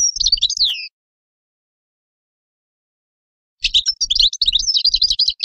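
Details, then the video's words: A goldfinch gives a brief twittering phrase ending in a downslurred note, falls silent for nearly three seconds, then resumes a fast, jangling, buzzy twitter. "تغريد حسون"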